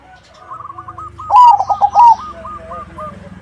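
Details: Perkutut, the zebra dove, singing a crossing-style song meant to make other doves answer: one strong run of fast, bubbling coo notes lasting under a second, overlapping softer coo series from other doves nearby.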